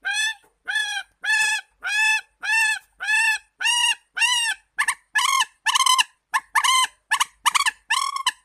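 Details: Repeated nasal, ringing notes from a warbler come steadily, about two per second, then quicken into shorter clipped notes with brief double notes, with no other sounds.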